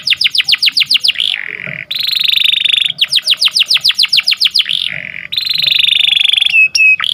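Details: Canary singing in the morning: bursts of rapid downward-sweeping notes, about three per second, alternate with long buzzy rolling trills and short pauses. The song is high and melodious.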